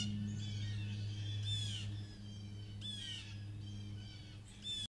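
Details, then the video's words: Blue jays calling around a deck where some come to a table for peanuts, trail cam recording from May 2023; loud, ringing, downslurred harmonic calls in bursts about every one and a half seconds, over a constant low hum. "Blue jays calling all around"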